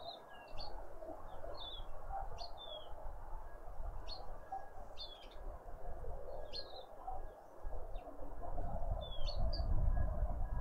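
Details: Garden birds visiting a feeder in suburban Pretoria, South Africa: a thin, high, sliding whistled phrase repeated roughly every second, steady and clear over a low continuous rumble.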